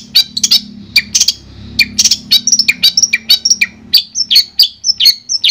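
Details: Madura long-tailed shrike in clear master song, mixing harsh chattered notes with thin, ringing whistles. A faint low hum runs underneath the song.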